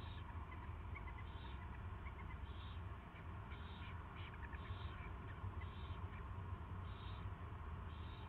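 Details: Owl chick at its first feeding, live feed, 24 February 2016 at 2:15 PM; short high squeaky peeps repeat roughly every second over a steady loud low hum.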